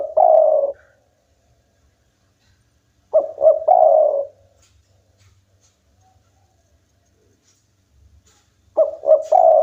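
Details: Vigorous local-type spotted dove singing to get rival birds calling: three low cooing phrases about three seconds apart, each two quick notes leading into a long fading coo, with light background rustling.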